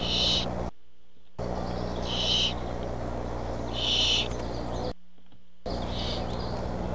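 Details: Barn owls at the nest when the parent arrives with food; short rasping hisses repeated through a loud rumbling background hiss, with brief breaks in the sound.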